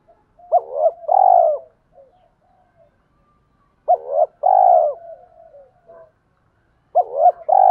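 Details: Spotted doves, male and female, cooing to encourage captive training birds to coo. Three phrases come about three seconds apart. Each is a soft double hoot running into a longer, wavering, descending coo, in a calm, quiet setting.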